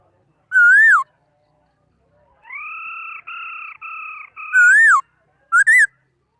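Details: Singing laughingthrush, 2018: a loud looping whistle, a long steady double-toned note broken into segments, then more swooping whistles and a short rising pair.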